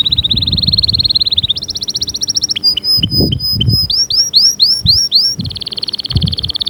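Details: Powerful canary song meant to motivate caged canaries to sing. A steady rapid trill gives way to a higher buzzy roll. Next come sharp clipped notes and a run of looping upswept whistles, ending in another fast trill.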